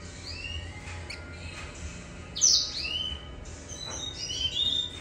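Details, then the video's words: Grey singing finch song: scattered thin, high whistled notes at the start, a louder sweeping buzzy phrase midway, then a cluster of sweet, rapid warbled notes near the end, over a low steady background hum. "Gray singer"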